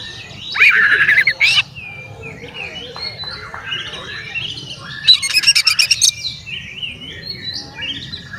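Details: Oriental magpie-robin male, song meant to trigger other magpie-robins: a loud, slurred harsh phrase early on, scattered softer notes, then a rapid rattling burst of high repeated chips, with faint background warbles throughout.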